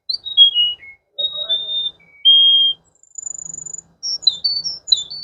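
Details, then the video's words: Varied water canary song: a descending whistled phrase, held flat whistles, a short buzzy rattle, a thin high sustained note, then quick high chirps sliding up and down. "water canary"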